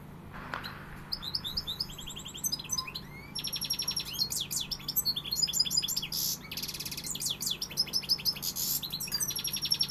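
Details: European goldfinch in pegada song. It opens with a sparse, quiet twitter, then bursts into long, loud, jangling runs of rapid high notes, trills and buzzy rattles that continue almost without pause, with a low steady hum underneath.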